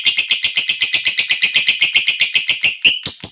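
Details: Lovebird giving a long ngekek trill while calling its companions: a rapid, even series of harsh high chirps, about fifteen per two seconds, then a few louder squawks at the end.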